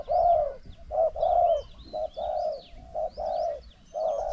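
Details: Decoy spotted dove answering a strongly cooing wild dove. Deep round coos follow each other closely, long drawn notes broken by brief clipped ones. Thin high chirps from small birds sound in the background.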